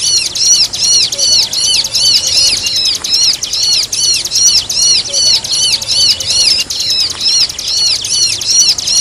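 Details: Bar-winged prinia song combined with another bird's calls as a training recording for songbirds; continuous rapid high-pitched curved chirps in tight runs, loud and evenly paced with brief dips.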